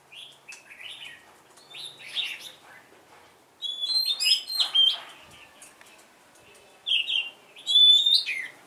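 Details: Red-whiskered bulbul kept as a decoy bird, singing short bursts of warbled, slurred whistles with bright high notes, in loose phrases separated by brief pauses; a louder, richer run of notes comes near the end.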